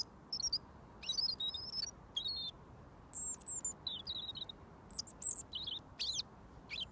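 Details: Hand-fed robin singing at close range before getting mealworms. Short high phrases, some thin and sustained, others quick and twittering, spaced by brief pauses.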